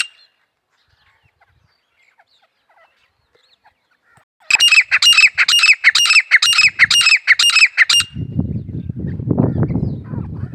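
A grey francolin gives a quick burst of about eight loud, harsh, ringing notes. Low rustling noise follows.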